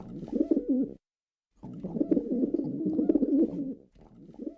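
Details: Low gurgling coos from a male pigeon come in a short burst, break off into silence, then return in a longer, steady rolling stream of repeated throaty notes.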